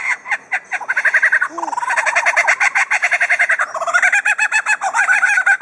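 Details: Captive superb lyrebird at Adelaide Zoo, Australia, reeling off mimicked sounds; rapid bursts of loud, harmonically rich notes pulse steadily around the midrange, with short falling whistles woven into a dense, chattering run.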